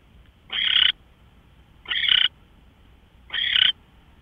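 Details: Owl at 5:27 AM, March 24, 2013: three rasping, hiss-like screeches, evenly loud, coming roughly every one and a half seconds over faint background noise.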